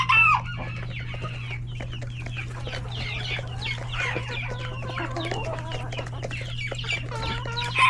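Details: Coop full of chickens, roosters and many chicks at lunch time: constant chorus of high chick peeps and clucks, brief loud harmonic squawks at the start and end, steady low hum underneath.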